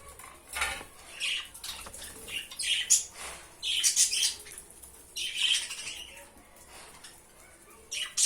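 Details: Budgerigars during mating, with harsh squawky chattering bursts coming in irregular clusters, some bright and scratchy, separated by short quiet gaps, in a small indoor space.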